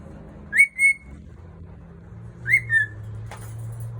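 A cockatiel gives clear rising whistles, each in two quick parts, repeated about two seconds apart.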